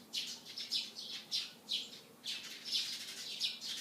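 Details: Sparrows chirping in the morning: loud, rough, high chirps repeated about twice a second, some chirps doubled, with a faint low hum behind.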